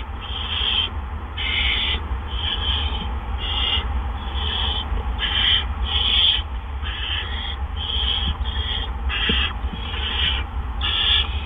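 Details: Barn owls at a nest around 8 PM on April 17, 2013, as two adults bring gophers back to back. Short, rasping hisses repeat steadily about once a second, with occasional soft ticks and a low hum.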